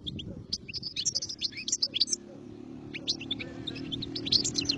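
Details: Goldfinch singing quick, scattered high twittering notes and short slurred chirps, over steady low background murmur and hum.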